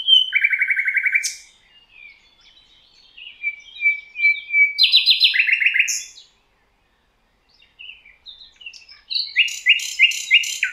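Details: Singing thrush nightingale in the valley of the Rawka river, Poland, alternating hard rapid rattles with thin piped whistles and scattered chirps; phrases separated by short silences, with a final repeated chattering run.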